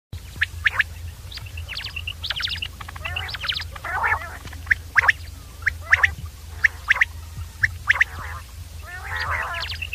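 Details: Common quail, known locally as batir, calling: short sharp high pips in twos and threes, mixed with harsh nasal rasping bursts, repeated roughly once a second over a steady low hum.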